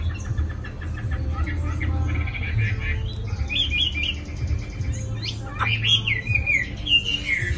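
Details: Cage-kept Chinese hwamei, freshly arrived in Hanoi, begins with soft chattering notes, then bursts into loud swooping whistled phrases in the second half, over a heavy low rumble.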